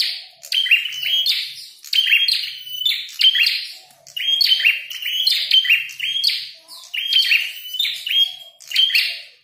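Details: Prinia (prenjak kepala merah) singing vigorously in a fight, with bursts of rasping chirps and high slurred notes repeated about every second for over nine seconds, with clean quiet between bursts.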